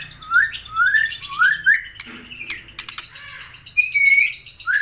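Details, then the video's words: White-rumped shama of the Aceh type singing vigorously: a series of four clear upslurred whistles, then rasping chattering bursts, a long steady whistle and a final rising note. "MURAI BATU SUPER GACOR"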